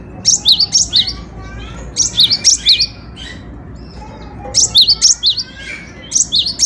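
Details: Song of a cinereous tit (gelatik batu): short bursts of three or four sharp, high, rising whistles, separated by brief pauses. Faint softer chirps sit in between.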